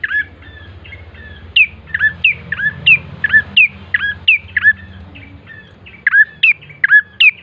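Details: Bar-winged prinia lure song to coax birds into singing: scattered soft chirps building into a lively series of sharp, hooked notes that dip then rise, over a low rumbling background.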